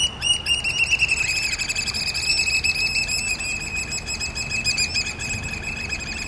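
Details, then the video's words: Black oystercatchers at Porteau Cove on February 14, 2013: a rapid, slightly uneven run of loud, piercing whistled notes on one steady high pitch, about three to four per second, continuing throughout over faint low background rumble. "Black Oystercatchers"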